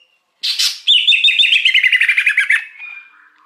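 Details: Wild greater green leafbird, recorded as a lure for wild birds: a harsh buzzy opening note, then a fast run of about fifteen clipped rattling notes sliding downward, fading into a soft trailing whistle.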